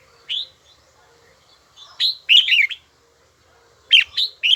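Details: Red-whiskered bulbul training its voice, giving a few sharp upslurred whistles followed by a quick, slurred warble, with pauses of silence between the notes.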